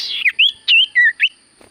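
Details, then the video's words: Common iora singing a brief phrase of four or five clear whistled notes, some rising and some falling, delivered quickly. "Burung sirtu cipoh gacor suara paling Top cer sirtu cipoh diam langsung nyaut"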